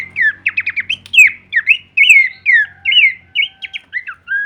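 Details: Horsfield's babbler, locally pelanduk semak, singing a full-variation kleperan song used as masteran training audio: quick bursts of falling slurred whistles and short chattered notes, about one a second, with soft low hum behind.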